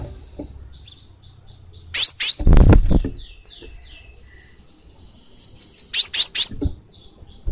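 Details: Crimson sunbird call for prompting a pet bird to sing: thin high twitters and a long fine trill, broken by bursts of loud sharp chirps, with a low thumping noise after the first burst.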